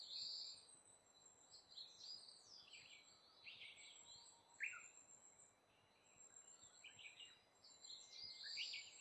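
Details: A Brown-eared bulbul (Hypsipetes amaurotis) that has come to eat fruit gives shrill, squeaky chirps in scattered bursts, with one sharp downslurred squeal midway; a thin high hiss and faint background chatter continue throughout.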